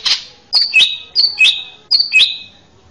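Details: A male greater green leafbird, recorded to teach young birds, sings a repeated phrase three times: a high sharp note dropping into a lower whistled slur, each phrase spaced about seven-tenths of a second apart.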